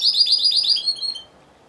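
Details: Timbrado Español canary, a singing-competition entrant in category C2 individual, judged in November 2015: a short burst of rapid, evenly repeated high chirping notes, about nine per second, ending abruptly after just over a second.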